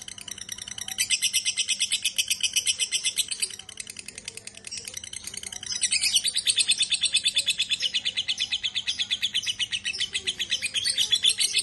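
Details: Long ngekek song from a lovebird, heard day and night: a continuous, rapid, high, rattling chatter of sharp chirps running unbroken for over ten seconds, briefly softening midway before surging back.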